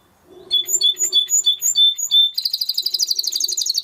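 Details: Spanish Timbrado canary in song, beginning with clear, evenly spaced whistled notes about four per second, then breaking into a dense, rapid bubbling trill.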